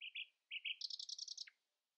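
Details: Common nightingale singing at dawn, keeping other singers from outdoing it: two paired whistled notes, a pause, two more, then a fast rattle of about eight repeated chirps ending in a dropping note.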